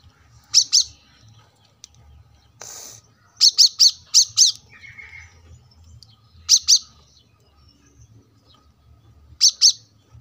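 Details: Brown-throated sunbird in gacor song for a masteran training recording near a road: high, sharp paired chirps in irregular bursts, one quick run of four, with a brief noisy rustle and a low background hum.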